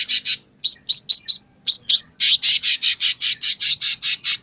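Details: Sooty-headed bulbul in full gacor singing: rapid high chirps, some sweeping upward, broken by a brief pause, then a steady run of harsh, scratchy notes repeated nearly twice per second.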